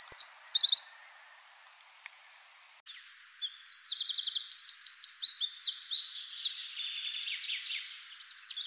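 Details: Eurasian wren, a free wild bird: a short high call, a pause, then a loud, fast song of rapid trills and sharp twittering notes, several trilled runs pouring out at shifting high pitches for about six seconds.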